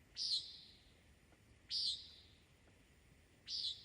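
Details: A Common Nighthawk heard in the mountains by someone alone with their dog gives three harsh, nasal, buzzy 'peent' flight calls, each short and high, spaced under two seconds apart, over a quiet background.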